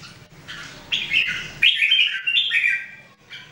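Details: Red-whiskered Bulbuls in daily singing training, 2018: a clear, sweet warbled phrase of linked rising and falling whistles lasting about two seconds, with a faint hum beforehand.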